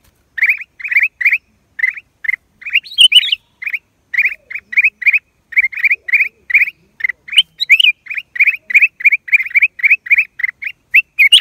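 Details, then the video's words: Black-crested bulbul, April 2023, giving a long, steady series of crisp, chirping notes in quick pairs and threes, spaced by brief pauses, with a few higher squeaky notes mixed in; clean, quiet background. "เสียงนกปรอดเหลืองหัวจุก นกหัวถ่านใต้ Cang Jambul"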